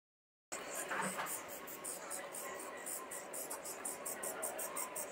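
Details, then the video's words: Young common starlings kept in a cage in Liepāja, Latvia, in May 2024, give a steady run of harsh, hissing, high-pitched bursts, closely spaced and continuous, with city sounds in the background. "MĀJAS STRAZDI / Sturnus vulgaris / būrī. Jaunie putni."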